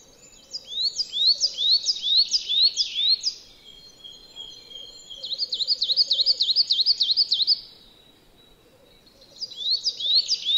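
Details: A coal tit in a yard in Joroinen, Finland, gives three bursts of high, thin, quickly repeated two-note phrases, about two per second, over a faint low background rumble.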